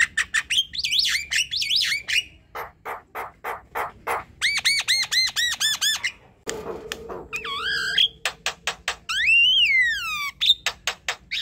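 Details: Javan myna (jalak kebo) singing at night, a varied medley of buzzy rasps, rapid clicks, repeated rising whistled notes and upward-sweeping squeals, with a harsh noisy burst midway.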